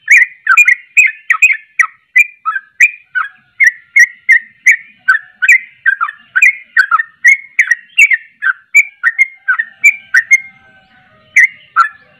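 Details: A long, energetic sooty-headed bulbul song: a continuous stream of bubbly, downslurred whistles delivered several per second for about ten seconds, ending with a brief pause and two final notes.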